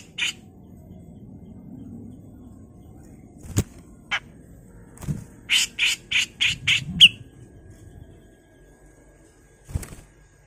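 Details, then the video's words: Grey-cheeked Bulbul in full, harsh song, used as a training recording, giving a quick run of about six harsh, rasping notes, with a few scattered single calls and dull knocks around it. "CUCAK JENGGOT GACOR FULL MBESET kasar"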